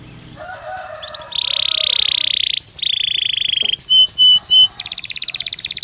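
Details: Belgian canary singing naturally: a low rolling phrase, then long buzzy high trills, three short bright whistled notes, and a fast rattling trill at the end.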